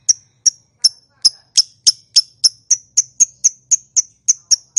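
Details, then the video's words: Lovebird chattering to provoke other lovebirds into calling: crisp, high, ticking chirps that speed up from about two to three per second across the run, very even and clear. "Suara Burung Lovebird, Memanggil, Yang Bisu Langsung Nyaut, Ngekek Panjang Gacor Respon Langsung"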